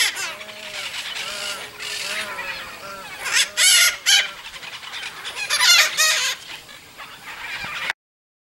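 Harsh, grating squawks from red-shouldered macaws come in loud bursts over a chattering background, with softer low arched notes repeating steadily underneath.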